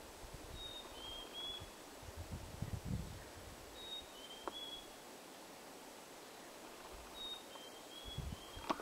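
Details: Mountain chickadee calling in the background on Mt. Pinos: faint, high, clear whistled notes in short groups of two or three, spaced several seconds apart, over steady outdoor noise with low rustling.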